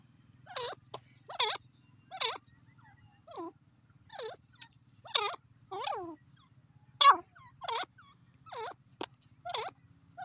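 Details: Francolin giving a long run of sharp, harmonic, swooping call notes, roughly one each second, with a faint low hum underneath.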